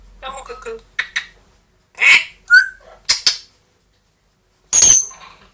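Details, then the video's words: Captive grey parrot, two years old, and Amazon parrot, one year old, talking and making sound imitations; soft speech-like mumbling, then short squawks and a brief whistled note, ending with a sharp high screech. "quelques mot et bruitage des perroquets"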